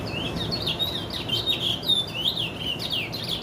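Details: White-bearded chestnut-bellied seed finch (curió) singing continuously: fluent, loud whistled phrases with quick up-and-down slurs and short trills, steady throughout, over faint low background noise.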